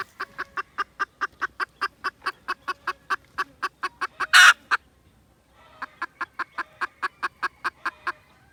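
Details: Red junglefowl, December 2021: rapid, evenly spaced clucks, roughly four each second, interrupted by a single loud burst and a one-second silence before the series continues.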